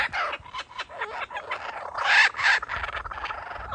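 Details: Male kookaburra teasing its chick before handing over food; choppy cackling notes building to a loud, harsh climax, then tailing off in quicker, softer pulses.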